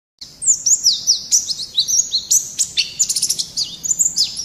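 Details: White-eye (pleci) singing energetically in the 'gacor' style, used as a tutor recording for caged songbirds: a rapid, continuous high twittering of thin, sweeping chirps and trills, with dense bursts of notes packed closely together throughout.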